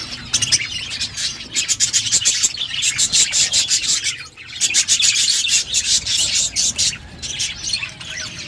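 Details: Chattering budgerigars kept in an outdoor aviary: rapid, raspy clicking and buzzy high chirps run almost without pause from many birds at once.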